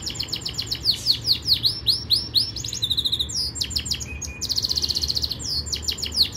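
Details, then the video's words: Singing Yorkshire canary, a training song: dense rapid series of downward-sweeping notes, buzzy trill rolls and a steady pulsed tour, continuous and loud throughout, with faint low hum underneath. "Most powerful Canary song | Rasmi Yorkshire canary song | best Canary training song"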